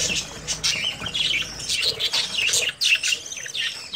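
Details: Several budgerigars in a breeding colony in early summer chatter with rapid high chirps, rising and falling warbles and short squawks in uneven bursts.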